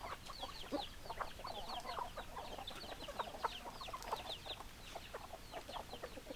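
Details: Hens clucking in a dense flock, many overlapping short clucks and chattering notes from several birds at once, steady throughout with no clear crow standing out.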